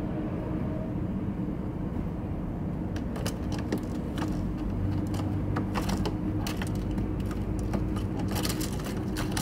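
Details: Constant traffic rumble from a balcony, with scattered sharp clicks and rattles in the second half.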